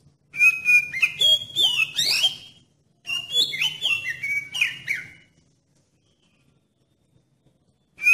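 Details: Oriental magpie-robin lure song, meant to trigger other magpie-robins to sing: two bursts of varied clear whistles, sliding and warbling notes, separated by a short pause, then silence before a final note.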